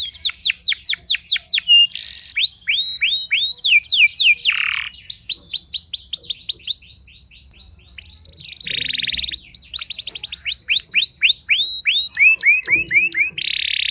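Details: Canary song meant to unsettle rival canaries, made of rapid swept whistles in quick runs, buzzy harsh bursts between phrases and fast rolling trills, with a short quieter pause midway.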